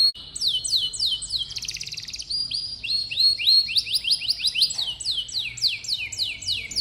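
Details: Canary voice meant as a tutor for young birds that seldom sing: bright chains of swooping descending notes at about three per second, a brief buzzy rattle, and steady high chirped phrases.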